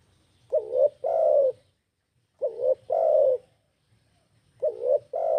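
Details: Lure call of a spotted dove, meant to draw in other birds: mellow low coos in two-part phrases, a brief wobbling note then a longer sustained one, repeating roughly every two seconds with little else heard.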